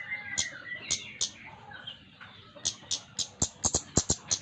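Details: Flowerpecker opening with scattered high ticks among soft whistles, then breaking into a fast, loud series of sharp clicking notes.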